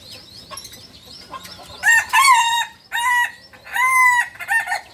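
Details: Beginner kukuak balenggek crow from a Balenggek rooster native to Solok, West Sumatra. Soft chirps come first, then a rising, bright crow in four separate stepped segments, each a steady harmonic tone, with short gaps between them.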